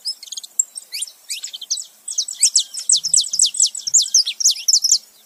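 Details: Pair of saffron finches, male and female together, chattering in quick high chirps that build into a dense run of bright, repeated downslurred notes, roughly one to two per second.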